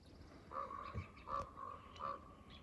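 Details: Wild common ravens talking outdoors alongside deer: three resonant, hollow, bell-like calls spaced under a second apart, each brief and evenly pitched, with faint low rustling between.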